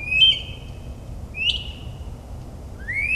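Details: Northern mockingbird's nocturnal song in the New Jersey suburbs: varied whistled notes, a level whistle, then a sharp upslurred note, and finally a long rising whistle, against a quiet hum.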